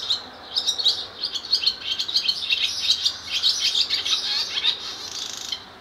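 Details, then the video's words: Male barn swallow singing with its nest and mate nearby at Skala Kallonis, Lesvos, Greece, on 10 May 2014: a fast, continuous twittering warble of high chirps and scratchy notes, with no other clear sounds. "Singing Swallow"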